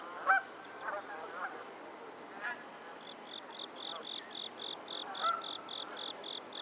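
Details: Geese on a Pennsylvania lake give a sharp nasal honk near the start, softer honking calls after it, and another honk later, while a steady run of rapid insect chirps sets in partway through.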